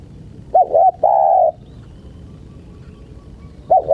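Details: Spotted dove, in a recording meant to tease wild birds. Two quick clipped coos run into one long, even mellow coo, and a new phrase begins at the end. Faint background hiss.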